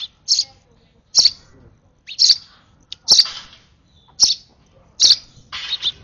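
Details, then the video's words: Hand-fed baby sparrow begging eagerly: a string of about eight short, piercing high chirps arriving roughly every second, with near silence between them. "Last feed of a UNLUCKY, Over Excited Sparrow Baby..."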